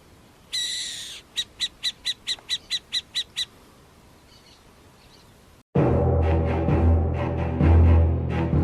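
Burrowing Owl: a harsh rasping note, then about nine short, scratchy chatters at four per second. Loud music takes over after a brief pause.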